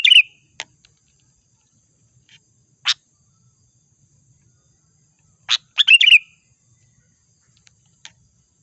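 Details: Sooty-headed bulbul lure song for trapping: sharp single chip notes spaced several seconds apart, framed by short bubbly phrases that each end in a slurred whistle.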